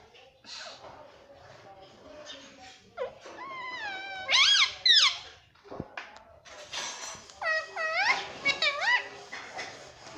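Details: Talking parrot said to say mummy and papa: bursts of harmonic, sliding whistle-like sounds and squawks, several in clusters of three or four, separated by quieter indoor background sound.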